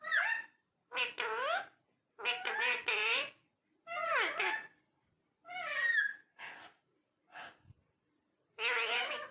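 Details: Parrot talking inside a small room, producing babbling, voice-like phrases with rich harmonics, some rising and falling in pitch, spaced a second or two apart.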